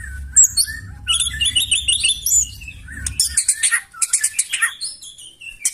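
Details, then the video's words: White-rumped shama singing roughly and forcefully to draw answers from other birds. Rapid high warbled phrases and sharp repeated chips are heard over a low steady hum that stops midway, followed by scattered shrill notes. "KICAUAN MURAI BATU NEMBAK KASAR AUTO NGAMUK SEKALI DENGAR LANGSUNG NYAUT"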